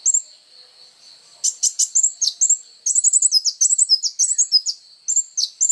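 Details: A kolibri ninja sunbird sings eagerly as songbird training material: a faint high whistle at first, then dense bursts of sharp twittering chirps and quick slurred notes running almost continuously.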